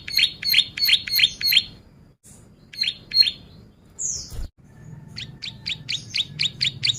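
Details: Bar-winged prinia song used for training and luring: a fast run of five high chips, two more after a pause, a thin upswept note, then a steady series of eight bright chips.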